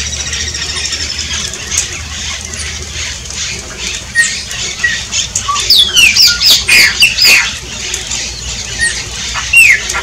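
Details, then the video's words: Shiny cowbird song: quiet start with faint scattered notes, then a loud run of rapid gurgling sputters and sweeping whistles around the middle, trailing off into single slurred whistles. "CANTO DO CHUPIM"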